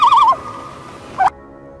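A loon gives a wavering, quavering note with a rapid pitch wobble, then a steadier held tone ending in a brief rising lift, cut off abruptly.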